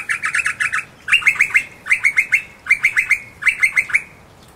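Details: Wild noisy miner at a garden bird sanctuary in Moorooka, Australia, giving its gentle song rather than its loud alarm call: quick bursts of four to six bright, chirpy notes about once a second, with faint hiss.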